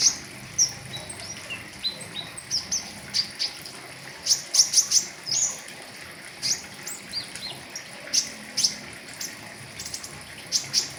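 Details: Caged pentis raja flowerpecker delivering a full riwikan song meant for tutoring birds: dense runs of very high, sharp chips and thin whistles, coming in quick bursts roughly every half second, over a soft steady hiss.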